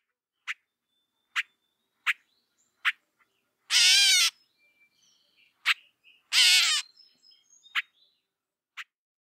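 Gray Catbird giving two drawn-out, nasal, cat-like mews, each about half a second long, among sharp, high clicking notes spaced a second or two apart.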